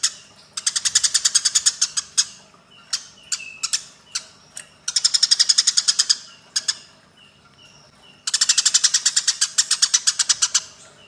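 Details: Eurasian tree sparrows in a fight, used as a training recording for songbirds: fast bursts of harsh, broadband chirps about six per second, in runs of two to three seconds, with short single chips and faint whistles between the bursts.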